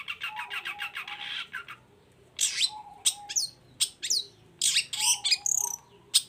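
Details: Long-tailed shrike singing energetically: a fast stuttering chatter, a pause, then sharp downward-sweeping whistled notes and rasping bursts at irregular intervals over a faint background hum.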